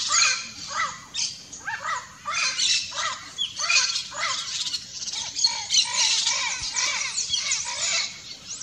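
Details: Turquoise-fronted parrot giving a rhythmic run of hoarse, arched squawks roughly every half second, backed by busy high-pitched chattering from other calling parrots.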